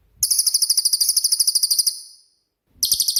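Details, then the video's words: High, piercing 'tembakan' trill from a cililin, a master song for songbird training: about two seconds of rapid evenly spaced pulses that fade out, a short silence, then another burst begins. "BURUNG CILILIN COCOK UNTUK MASTERAN"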